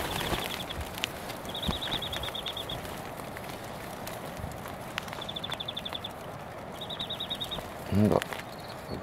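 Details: A European greenfinch sings up in a tree at Cabranosa, Sagres, Portugal, on a wet, very windy 31 March 2024: rapid, even trills of high notes, each about a second long, repeated every few seconds over wind noise and a man talking.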